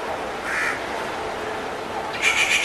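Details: A soft rufous treepie note, then a louder harsh, grating burst near the end, over a steady noisy background.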